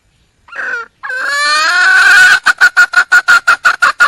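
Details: Red junglefowl hen in the wild calling for a mate: a short note, a pause, then a long swelling harmonic note that runs into a rapid, regular string of loud pulses, roughly five per second.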